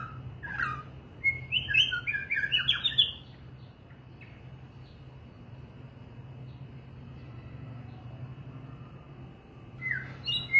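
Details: White-rumped shama giving a short burst of bright, warbled whistles lasting about two seconds. A long quiet gap follows, then a brief final note, with a low hum throughout.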